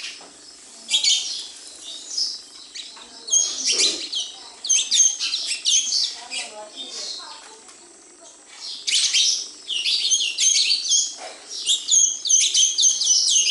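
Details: Busy sparrow chorus at a house, with rapid, sharp chirps tumbling over one another in two long loud spells separated by a quieter stretch of sparse twitters.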